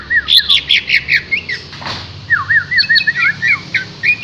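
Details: Green leafbird singing hard, a string of looping, wavering whistles and chattered notes, briefly broken by a short burst of noise midway.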